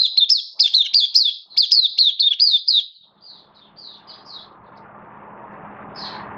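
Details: Oriental white-eye in a bird-keeping setting, open song, September 2022: a brisk series of high, sweet, wavering warbles for about three seconds, then softer scattered notes fading under a growing low hiss.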